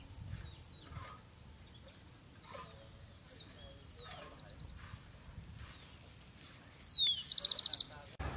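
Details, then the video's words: Rufous-collared sparrow in Colombia, Chicaque Natural Park and Bogota botanic garden, April 2019; after soft background chirps and voices, a loud song of a sharp whistle and a falling slurred note ending in a fast dry trill. "Zonotrichia capensis"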